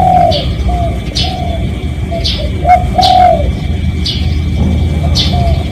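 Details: Genuine spotted dove lure call for attracting other doves: a run of soft cooing notes, several short and one longer gliding coo, with frequent sharp descending chirps from other birds and low background hum.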